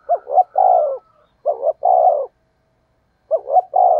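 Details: Spotted dove lure call used to attract wild doves. A rhythmic phrase of two quick, hollow notes and a drawn-out mellow coo comes three times in quick succession over a silent background.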